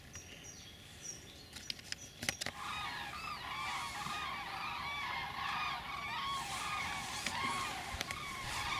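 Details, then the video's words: A migrating flock of common cranes passes over a bee yard on 1 November 2015, giving a dense chorus of loud, rolling, overlapping bugling calls, with a few clicks and faint traffic noise; common crane. "Die Kraniche ziehen"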